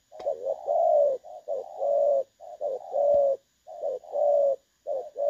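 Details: Spotted dove, 'dong son' voice type, used as a decoy for trapping, August 2024: rich, hollow coos run almost back to back, each short note joined to a drawn-out, slightly falling one, about once a second, with a couple of clicks.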